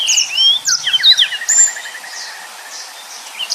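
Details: Yellow-fronted canary singing high slurred whistles followed by a fast, even series of short notes trailing off, with faint chirps at the end.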